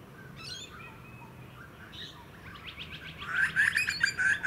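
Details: Juvenile grey butcherbird on Queensland's Sunshine Coast in August 2020. Faint, scattered chirps give way to a loud burst of rapid, rasping, mid-pitched notes in the final second, over soft background rustle.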